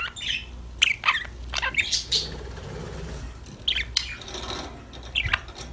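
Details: Parakeets chirping and talking to each other: a lively run of sharp chirps and warbles at the start, a quieter stretch, then more scattered chirps, over a low background hum.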